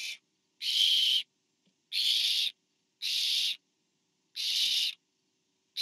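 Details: Barn owl nest on camera, 24 September 2015, parent delivering food to owlet number four; long breathy hissing screeches, about half a second each, repeated nearly every second, quiet gaps between.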